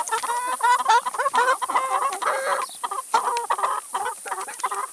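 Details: Chickens eating salad and vegetables, clucking busily and close up: a dense stream of short nasal harmonic clucks and squawks broken by brief pauses and pecking taps.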